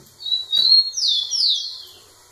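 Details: Rufous-collared sparrow singing at a female, the phrase a thin high whistle sliding into two clear descending slurred notes, loud and close.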